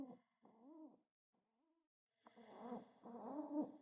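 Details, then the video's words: Excited pet pigeon while petted: a few soft low coos with a quiet gap, then louder throaty coos overlaid by rustling handling noise. "Pigeon Pecks the Ground in Excitement and Makes Cute Sounds while being Pet"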